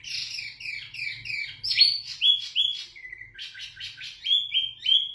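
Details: Clear, loud song of a wambi mini (zebra finch) for tutoring other birds: descending buzzy notes, short level whistles, a low steady tone, then a run of rapid chips and repeated whistled notes.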